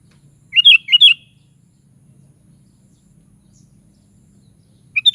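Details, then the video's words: Sooty-headed bulbul delivering a rapid phrase of four rich, slurred whistles, then a pause of several seconds before the next phrase begins at the very end. "SUARA BURUNG KUTILANG"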